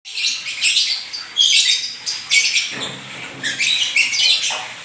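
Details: Lovebird singing actively in rapid, shrill chirps and twitters. Dense runs of high notes come in bursts of about a second with short pauses between them, and the chatter carries on for the whole stretch.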